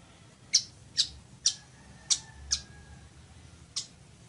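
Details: Weaver, also known locally as chichiguago, recorded as a singing model for teaching birds to sing. Sharp, harsh clicking notes are spaced irregularly about half a second apart, with a faint thin tone behind them.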